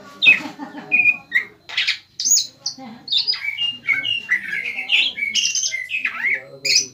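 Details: An untrained caged greater green leafbird delivers a varied, energetic song of squawks, high piping notes and down-slurred whistles, used to provoke a rival leafbird into singing and replying.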